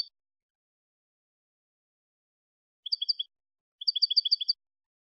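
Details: European goldfinch singing clean malagueño-style song from a CD for teaching goldfinches: two short bursts of rapid, bright chipping notes about a second apart, the second longer, in otherwise total silence.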